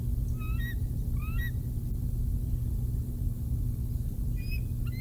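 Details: Bald eagle at the Decorah North nest, eaglets 111 and 113 days old, early morning as an adult brings a fish; thin rising whistled notes in short pairs over a steady low rumble of wind.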